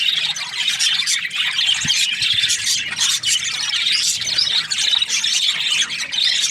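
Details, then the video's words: Budgerigars kept as breeding pairs, chirping together in a dense, unbroken chorus of high, scratchy warbles and squawks that overlap continuously, with no pauses. "Budgies parrot chirping sounds | breeding pairs"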